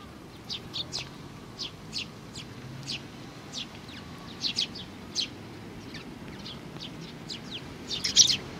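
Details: Several sparrows, including a youngster, recorded on 27 June 2019, give short high chirps in a loose series, roughly one or two per second, with a brief flurry near the end over a low steady background hum.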